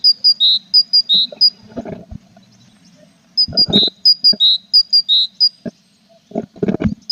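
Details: Tit outside a nest box of chicks, 21 April; clear two-tone phrases, high note then lower fuller note, repeated in bursts, with rustling and bumps from the nest.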